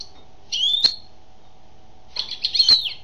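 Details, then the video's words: A female European goldfinch sings two short bursts of bright, twittering, liquid notes, high-pitched and slightly buzzy, about a second apart, over a faint steady hum. "Chant d'une femelle chardonneret"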